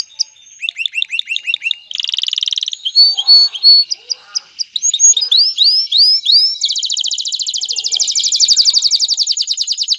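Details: Male canary in song meant to ready a female for mating and encourage nest building, running through varied phrases: quick repeated chirps, a dense trill, spaced upswept notes, then a long rapid rolling trill.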